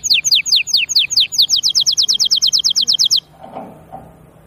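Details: Canary song with quick, evenly repeated bright chipping notes for about three seconds, stopping abruptly, followed by faint low background sounds.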